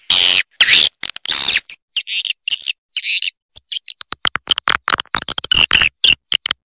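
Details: Triple Queen style swiftlet roosting call: a few long buzzy notes, then short bright chirps in pairs, breaking into a quick scatter of clicks and twitters.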